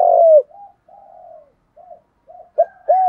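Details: Field-voice spotted dove coos, urging and calling, meant for training newly caught captive doves: a long drawn falling coo, quiet murmured notes, then two loud rounded hooting notes at the end.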